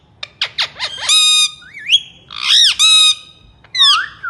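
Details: Ringneck parrot of India, a talking bird, starts with quick descending clicks and chips, then gives drawn-out harsh nasal squawks and a curving whistle-like note before a final swooping call.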